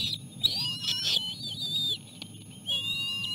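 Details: Bald eagle chicks at the nest as their mother arrives with seal placenta for lunch after a lean day. High, thin whistled squeals rise and waver, with a quieter lower squeak and a steady low hum beneath.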